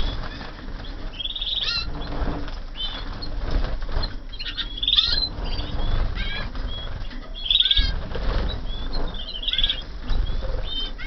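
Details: Canaries from 2014 kept in a flight aviary: bright whistled notes, short rising and falling slurs and quick trills scattered over steady loud wing flapping and rumbling background noise.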